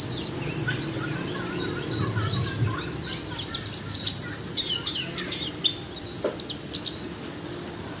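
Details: Japanese white-eye kept caged for one month, delivering a dense, high-pitched twittering warble of rapid squeaky notes that barely pause, with a soft low rumble in the background.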